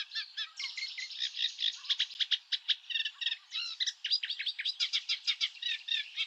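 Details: Eurasian reed warbler from European reed beds giving its specific call, a dense run of scratchy, buzzy chattering notes with varied churring and clicking elements, continuous throughout.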